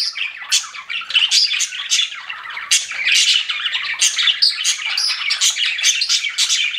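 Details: Several pet budgerigars kept indoors chatter at once: overlapping raspy warbling and quick high chirps in a steady, busy stream with no pauses.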